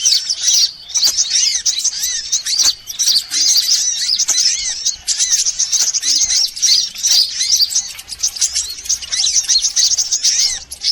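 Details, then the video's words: Mixed sunbirds heard as a lure to attract birds: a long, crowded burst of sharp high twittering and looping whistles from several birds, varying in loudness but never stopping. "Suara pikat semua jenis burung kolibri"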